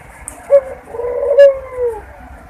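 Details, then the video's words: Barbary dove mating call, used as a lure to bring doves into breeding condition: a short clipped note followed by one long, smooth, low coo that sags slightly at the end, with faint clicks above. "puter kawin || pancingan burung puter agar cepat birahi"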